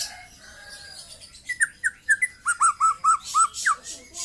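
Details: Young white-rumped shama that has just moulted out of its speckled juvenile plumage. After a quiet start, it sings a run of about ten clear whistled notes, each bending and dropping, delivered quickly one after another over the last two and a half seconds.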